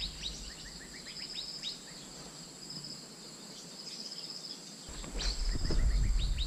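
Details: Asian fairy-bluebird luring call: a run of brisk rising whistled chirps, a pause, then more notes, over a persistent high whine, with heavy low rumbling toward the end.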